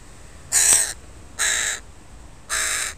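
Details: Three loud, hoarse caws, each roughly a third of a second long and about a second apart, from crows of a family with young birds in a park, close and clear over quiet background.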